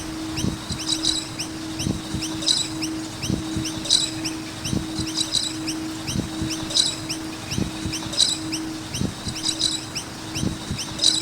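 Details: Noisy miners around a skate park: short rising chirps repeated steadily, with denser bursts of high chirping about every one and a half seconds, over low thuds and a steady low hum.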